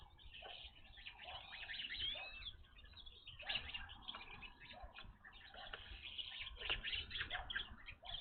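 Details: Evening grosbeaks at a bird feeder, a first sighting at this spot; a busy chorus of short clear whistled and burry chirps, many overlapping, with wing flutters and scuffing noises throughout.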